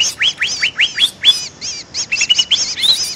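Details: Lure call of the greater green leafbird: five fast rising whistled notes, each swept sharply upward, followed by a looser series of short wavering and slurred chirps, bright and high throughout.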